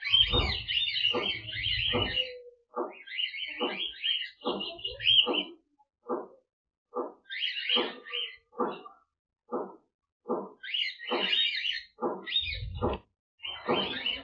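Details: Cockatiels in an aviary flock chatter in bursts of harsh, buzzy warbles broken by rapid, regular clicking taps.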